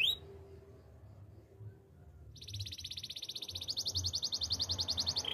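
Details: Canary song for training: after two seconds of near quiet with a brief high note, a long rapid trill of repeated high notes builds in strength. Soft low rumbling sounds continue throughout.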